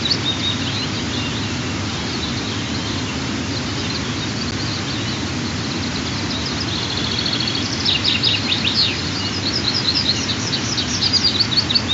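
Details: Nest of white-tailed eagles, two eaglets of 23 and 25 days being fed in the morning, 15 June 2023; faint chirps at first, then a denser burst of high, slurred cheeps near the end over steady hiss.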